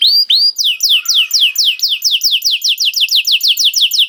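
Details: Canary song used as bait to make other canaries sing: two rising whistles open, then a long fast series of downward-sweeping high whistled notes repeated about twice a second, clean with no other sounds.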